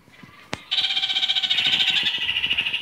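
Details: Red-crowned parakeet, kakariki, in mixed colour varieties, after a sharp click, bursts into a loud rapid chattering trill, fast pulses running evenly for about two seconds at a steady high pitch.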